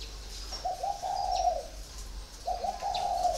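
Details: Spotted dove four years in a cage gives two mellow cooing phrases, each a brief lead-in note running into a drawn-out, slightly falling hollow coo, separated by a short pause.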